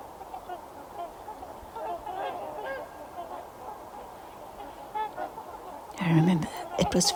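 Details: Trumpeter swans gathered in the Fraser River Valley on a freezing January day give scattered, reedy trumpet-like honks against a soft murmur, before a person's speech cuts in near the end.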